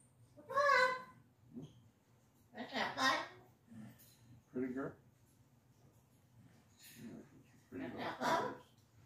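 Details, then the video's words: Cockatoo kept as a pet venting in a small room, giving scattered, talk-like mumbles and squawky syllables, some short and clipped, others drawn out, with quiet gaps between the outbursts. "cockatoo Casper venting"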